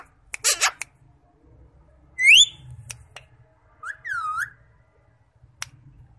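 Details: A pet green rose-ringed parakeet talking in Urdu/Hindi gives a few shrill, squeaky speech-like phrases: a harsh burst, a quick rising whistle, then an arched, nasal note, in a quiet room.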